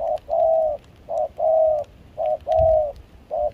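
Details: Spotted dove, wild-caught and used as a trapping decoy in Kon Tum, Vietnam, during rain and cold wind, mixed foreign-style voice: clean, close coos in pairs, a short note then a longer level one, spaced under a second apart.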